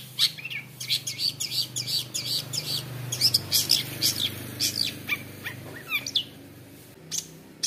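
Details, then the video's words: Long-tailed shrike (cendet) from a young wild-caught bird, said to be a fighter, sings a fast, energetic run of high, sharp chirps and rolling notes, tightly packed and varied, meant to provoke other shrikes; low hum underneath. "cendet dari MUDA HUTAN gacor fighter isian ROLL TEMBAK MEWAH | bikin cendet lain langsung emosi"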